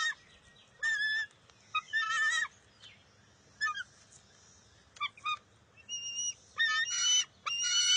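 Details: Bald eagle nestling fighting its mother for a fish at the nest, June 2021: irregular high squealing and chittering bursts separated by pauses, ending in longer steady shrill cries.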